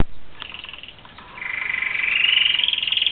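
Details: Caged red factor canaries, kept with their young, sing a stretch of song: a rapid trill that fades, then a long bright rising whistled tone with fast pulsing, fairly loud and clear.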